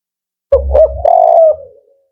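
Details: Male 'Kuk 4' spotted dove calling firmly and rhythmically: two brief coos leading into a long even coo that tapers away, over a low rumbling thud at the start.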